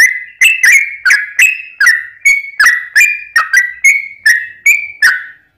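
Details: Rapid 'ropel panjang' song of a sooty-headed bulbul, used as a lure: evenly spaced whistled notes, roughly two and a half per second, pitch wavering slightly up and down, ending in a held note.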